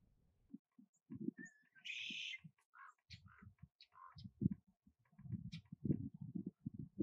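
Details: Red-winged Blackbird calling on a hillside hike along Grindstone Lake, Ruidoso, New Mexico, amid lake, mountain and forest: a short whistled note, then a harsh buzzy trill of about half a second; scattered chips and thumping footsteps throughout.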